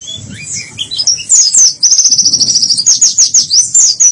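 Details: White-eye singing in the "teler gela gelo" style: rapid high twittering warbles, a long run of sharp, fast-repeated chirps through the middle, ending in looping trills.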